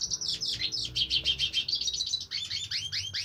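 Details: Hooded siskin (cabecita negra) song: quick high twittering chirps, a thin whistled phrase, then repeated upward-sweeping notes.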